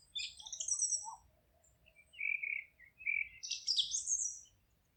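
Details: Forest birds singing: high chirpy phrases near the start, then a lower whistled trill in the middle and a fresh burst of rapid high twittering near the end, with a faint low rumble underneath.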